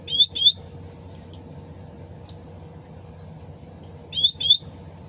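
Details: Sooty-headed bulbul, original voice over gently trickling water: a pair of short upswept whistles, a four-second pause, then another matching pair.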